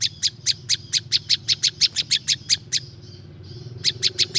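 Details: Olive-backed Tailorbird, natural recording used to lure wild birds: rapid run of sharp, high chipping notes about five per second, a short break near the end, then the series resumes; faint low rumble underneath.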